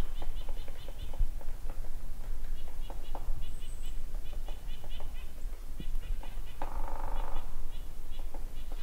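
Pileated Woodpecker giving quick runs of loud, even kuk-kuk-kuk notes, repeated every second or so, over low rumbling outdoor noise and a brief muffled voice.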